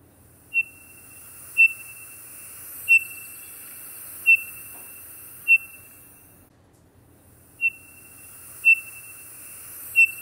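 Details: Townsend's solitaire (Myadestes townsendi) calling: clear, pure, evenly spaced single whistled notes, high and even, about a second apart, with a faint hiss behind.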